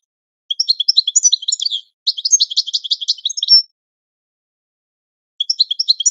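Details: Goldfinch song used for training: quick liquid twitters and chattering trills in two close phrases, a final buzzy note, then a pause before another twittering burst begins.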